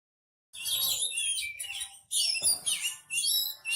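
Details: White-rumped shama on a training perch, singing steadily and showing off its repertoire: dense bursts of high, varied whistles and chattering phrases in three loud runs separated by short pauses.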